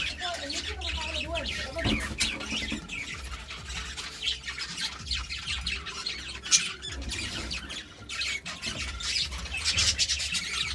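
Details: Two budgies give steady, buzzy warbling chatter with scattered squeaks and chirps, fairly even in loudness, over a low background hum.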